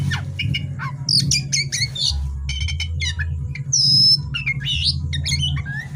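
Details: Night-time song of an oriental magpie-robin: crisp whistled phrases, rattling notes and one long harsh buzzy note, delivered without pause against a persistent low hum.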